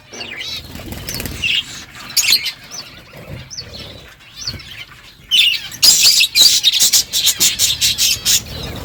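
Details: Eating budgies give a series of short, rising and falling chirps about every half second, then a dense, loud run of rapid clicking and scratchy chatter in the second half.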